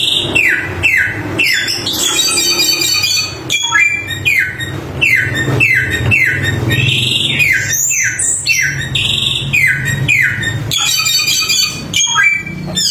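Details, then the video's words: Samyong bird singing energetically, a loud run of clear whistled notes, each sliding sharply downward, repeated about twice a second with occasional higher rising whistles and brief pauses; faint low hum underneath. "Suara Burung Samyong Gacor Super Mewah"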